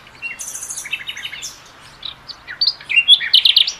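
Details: Common nightingale (Luscinia megarhynchos) singing rich, varied phrases: a high buzzy trill, then quick chirped notes and loud rising whistles in rapid succession.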